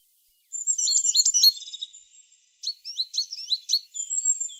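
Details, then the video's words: Tit song opening after half a second of silence: a dense, high warbled phrase, a brief pause, then a row of quick, sharp, rising-and-falling chirps ending in a thin sustained whistle. "The sound of a tit singing"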